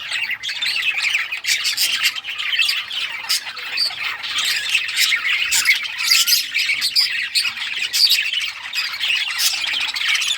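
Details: Pet budgerigars of rare colours chirping while playing with toys: a dense, continuous chorus of scratchy, rapid chatter and short squawks from several birds, with no other clear sounds.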